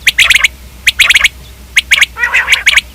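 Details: Common quail (batair) calling: short sharp clicky notes in quick clusters of two to four, with a rougher rasping burst near the end.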